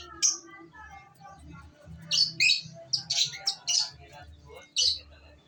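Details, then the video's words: Female long-tailed shrike giving a string of loud harsh rasping notes, some doubled, between softer twittering mimic-like phrases, over a low background hum. "kicauan cendet betina"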